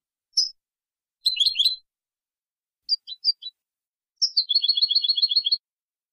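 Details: Goldfinch song in the copia malaga style, edited as teaching material for chicks. Scattered sharp chirps and short twittery bursts lead into a steady, rapid trill of doubled notes lasting over a second. No other sounds are heard.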